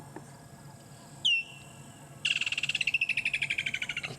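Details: In the African bush, with a lion pride resting nearby, a Woodland Kingfisher gives one sharp, high, downslurred note, then a long, fast, ringing trill of about twenty notes slowly falling in pitch, over a faint low hum.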